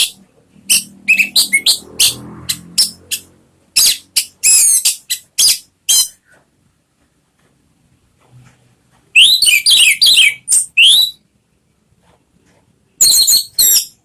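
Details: Orange-headed thrush song used as a lure to prompt a caged bird to sing: bursts of sharp, high chirps and quick rising notes, then a long pause and two shorter bursts. Faint low thumps sound early on.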